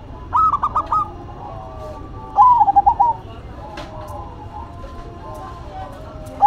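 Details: Zebra dove duet between a local bird and a cemani bird: two crisp bursts of rapid, pulsed cooing notes two seconds apart, with quieter sustained coos and a soft background hiss.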